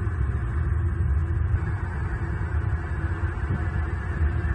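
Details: Continuous throbbing low hum and rumble at a Southwest Florida bald eagle nest camera in the evening, without any animal calls.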